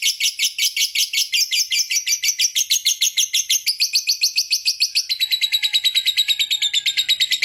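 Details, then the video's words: Caged-style lovebird 'ngekek panjang' long trill, used to set other lovebirds singing nonstop: fast, continuous stream of high buzzy chirps that quickens slightly and shifts higher in its second half. "Suara Burung Lovebird Ngekek Panjang JAGO Bikin Lovebird Lain Tidak Berhenti Bunyi"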